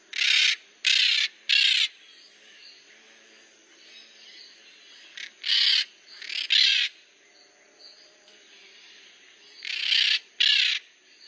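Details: Maritaca parrots making noise: loud harsh rasping screeches, each about half a second long, given in clusters of two or three with quiet gaps between, over a faint steady high hiss.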